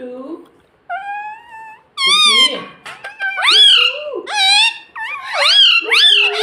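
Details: Pet parrot that talks, saying words like mummy and papa, vocalising indoors: a steady held note, then increasingly rapid, squawky, speech-like syllables with sharp up-and-down inflections.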